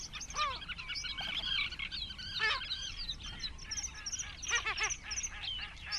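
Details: Great crested grebes at a colony of about twenty birds nesting close together, recorded 21 June 2024. Harsh, arched, harmonic-rich calls come in quick bursts, some overlapping. A dense chorus of high chirping birds runs throughout.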